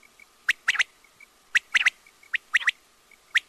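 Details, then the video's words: Quail with a crisp, rhythmic call of short sharp notes grouped in threes, repeated roughly once a second, and faint twittering behind. "batair ki awaz|quail sounds"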